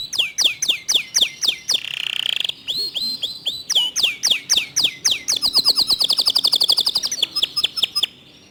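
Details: Local canary delivering a clear, tightly packed rapid-fire song: bright down-swept notes repeated about four times a second, a brief rolling trill, then faster even stuttering notes ending in a high rattling trill.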